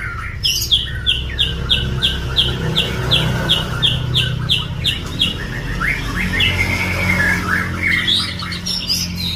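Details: White-rumped shama singing: a fast run of about a dozen evenly spaced, high, sharp whistled notes, then varied rising and falling phrases, over a constant low droning hum.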